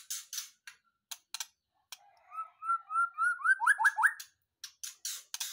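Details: Caged white-rumped shama just out of the breeding cage, singing: a series of short whistled notes climbing in pitch and speeding up into a quick trill, with harsh clicks before and after.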